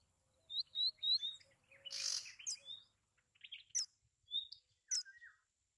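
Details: Song of a Bay-backed shrike: a quick series of bright chirps over soft low whistles, a loud grating rasp, then scattered sharp high notes and a short falling whistle.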